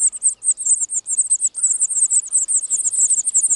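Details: European serin at a nest in the wild in spring 2018, from one of the year's first broods: a fast, unbroken jingle of very high, thin, sizzling notes running steadily through the clip, with no other sounds.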